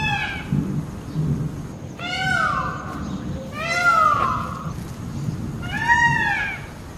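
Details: An Indian peafowl (Pavo cristatus) gives four loud, nasal, cat-like wails, each arching up then down, about every one and a half seconds, over a low steady rumble.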